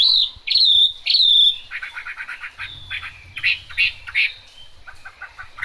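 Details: Chinese hwamei singing in the rain opens with three loud, ringing whistles. Chattering notes follow, then scattered bright phrases, with a soft low rumble in the background.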